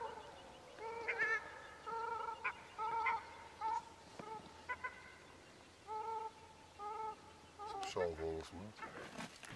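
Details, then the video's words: Bird by a lake in Morocco after dark, identified by a viewer as a Trumpeter swan and likened to a bird-cat combination: a run of nasal, horn-like honks, often doubled, about one a second; rustling near the end. "The bird call at 37:10 is a Trumpeter swan"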